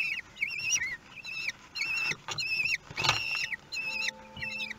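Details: Common kestrels at their nest in Théding, France, on 2 June 2020, at feeding time with a very large prey item; whining, wavering calls near-continuously repeated in short bursts of rising and falling notes, with faint background hum.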